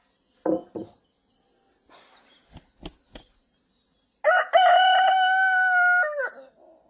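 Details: Domestic cock giving a single drawn-out crow in the second half, strong and evenly sustained before a falling finish. It is preceded by a couple of short clucking notes and a few sharp clicks or knocks.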